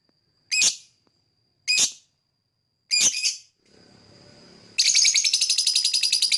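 A lovebird gives three sharp, shrill chirps about a second apart, then a fast run of high, scratchy chirps, roughly ten a second.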